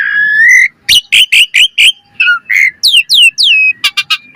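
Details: Lure recording of an Asian pied starling singing with full variation: a rising whistle, five evenly spaced rough chirps, then a run of falling whistled slurs and short clicks.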